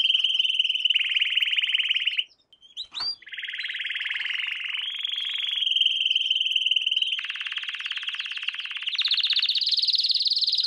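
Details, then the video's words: Canary lesson song for young birds: a chain of rapid rolling trills, each tour holding one pitch before switching, broken by a short pause with chips, then rising to higher tours at the end. "Canary Singing - lesson 16"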